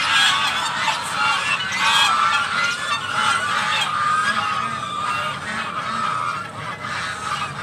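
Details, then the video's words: Several domestic geese at a home, calling for breakfast: a dense, continuous chorus of overlapping nasal honks and cackles, harsh and reedy, with no pauses across the whole stretch. "all goose makes noise for breakfast"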